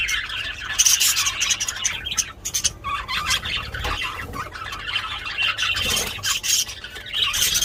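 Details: Budgerigars during mating give loud continuous high chattering and squawking, dense scratchy warbles with brief pauses, filling the whole clip.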